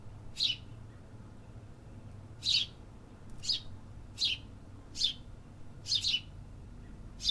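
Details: Urban birds singing in the city, giving seven sharp high tweets at uneven intervals, some doubled, against a constant low traffic-like hum.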